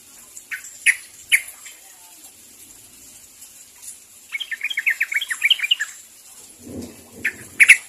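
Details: Sooty-headed bulbul calling out to others of its kind, starting with a few sharp isolated chirps before a quick, bubbly string of warbled notes, then more sharp chirps and a brief low rumble.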